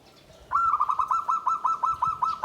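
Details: Zebra dove kept in a bamboo cage, song style called guaring, atos, banter, tembus: a loud, steady run of rapid, evenly spaced cooing notes on a single level pitch, about five per second.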